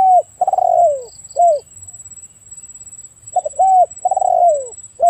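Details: Spotted dove giving loud, mellow coos: a rising coo, a long coo sliding downward, then a short clipped coo, the phrase repeated after a pause; a constant faint high whine and low hum sit in the background.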